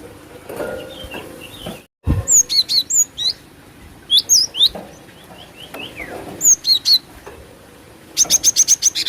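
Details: Repeated groups of thin, high, slurred chirps from a female cinereous tit used as a lure. The series ends in a quick run of seven rapid, even notes.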